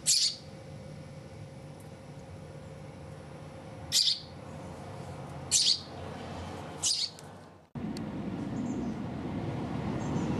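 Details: Young hand-reared house sparrow, rescued from a street at about two to three days old, indoors: four short piercing high chirps spaced one to two seconds apart, then a louder broadband rustling noise.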